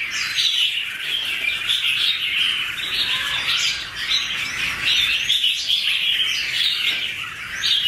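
Two red-whiskered bulbuls sing over each other without pause, a dense run of bright, chattering, warbled notes, mid-to-high pitched, rising and falling in quick phrases.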